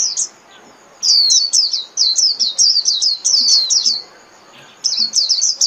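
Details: Japanese white-eye song for daily playback to caged birds: long runs of rapid, high, bright chirps, nearly three seconds unbroken, a pause, then another quick twittering run.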